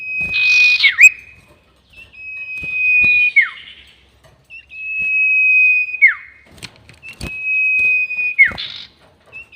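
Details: Sirtu bird long-whistle lure sound for trapping: four steady, pure high whistles in a row, each about a second long and ending in a sudden falling slur, with a few faint clicks between.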